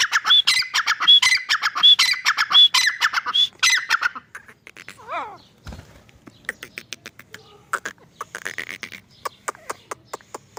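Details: A grey francolin (teetar) delivers a loud, rhythmic run of harsh, ringing calls for about four seconds, then softer, scattered clicks and notes follow.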